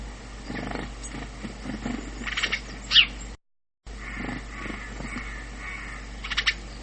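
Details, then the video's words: House sparrow chirping: repeated short, buzzy chirps and a few sharp bright notes, one louder accent midway, with a brief dropout of sound and a low steady hum underneath. "Wróbel Passer domesticus"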